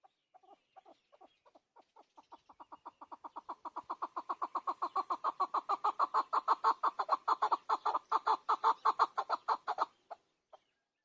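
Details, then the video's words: Chukar partridge, known as keklik or chakor, starting with a few spaced clucks that quicken and swell into a long, loud, rapid chuk-chuk series before stopping abruptly, with a last stray note. "Keklik Sesi chakor Hunter Chakor voice. Chakor voice. Hunter Chakor sound. Keklik Sesi chakor bird."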